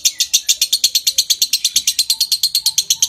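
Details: Lovebird giving a long ngekek trill, used as a training recording to stimulate breeding condition and get birds singing: a fast, even chatter of high chirps, about seven each second, with no pause throughout.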